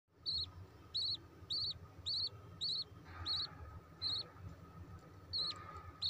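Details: A budgerigar chick begs with short, high chirps, repeated roughly twice a second, while being fed by the female.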